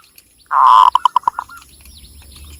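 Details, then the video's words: Zebra dove of the Javanese local type from Cilacap, Central Java: a held coo followed by about six brisk staccato notes, fading into low background noise. "SUARA BURUNG PERKUTUT LOKAL JAWA GACOR"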